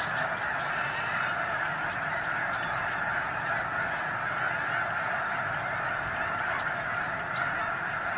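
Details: Large flock of snow geese on migration in California's Sacramento Valley, a continuous roar of many honking voices layered together, with a few sharper, higher yelps standing out above the steady chorus.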